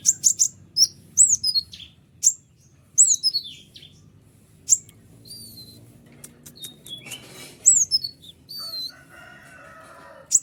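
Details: ['Bright White-winged triller song, said to make other trillers reply at once. Bursts of shrill chirps and downslurred notes come in quick clusters, with a wavering buzzy phrase and softer lower tones near the end.']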